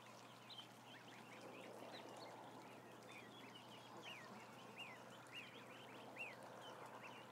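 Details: Many ducklings in a barn, a crowd of about a thousand, giving a dense chorus of short high peeps, each a quick upward or downward chirp, over a steady rushing murmur of the flock.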